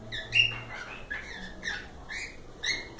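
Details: Cockatiels calling in short, bright harmonic chirps, a few sharp upslurred and downslurred notes spread across three seconds, with a soft low background hum.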